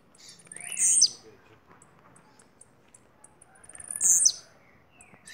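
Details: Blue-black grassquit from Bahia, a kept bird, singing two brief, very high buzzy bursts about three seconds apart, each a sharp sizzling note dropping slightly at the end, with quiet background between.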